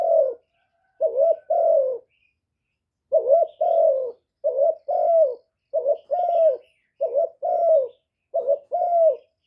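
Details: Spotted dove lure call for stimulating caged doves to sing, recorded live without noise: soft low paired coos, a short note and a drawn-out falling note, repeated in a brisk series after a brief pause.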